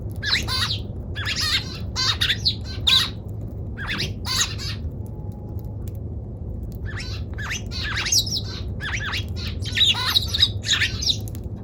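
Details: Eurasian tree sparrow calls, part of a set showing the many kinds of sparrow voice: bursts of harsh, chattering chirps in clusters over about two seconds, with pauses between groups, over a steady low hum.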